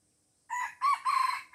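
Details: Aceh red junglefowl, hemmed in by young birds yet unwilling to fight, gives a clipped three-part crow: brief opening note, a short rising syllable, then a longer wavering final phrase, in quiet surroundings.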